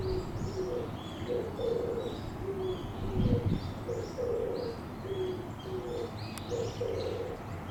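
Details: Oriental turtle dove, its breast puffing out as it sings: low, hoarse cooing notes repeated in a rhythmic phrase of short and longer coos, over a steady low rumble.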